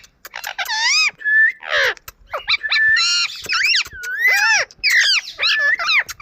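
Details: Near-continuous warbling chatter by an Indian ringneck parakeet, mixing harsh squawks with brief flat whistled notes and wavering squeaks.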